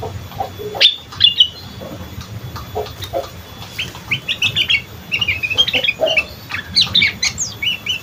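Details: Young sooty-headed bulbul in the ngriwik style: quick, scattered high chirps and twittering notes, loosening into a busier chatter after four seconds, with some wing-flap thumps and low background noise.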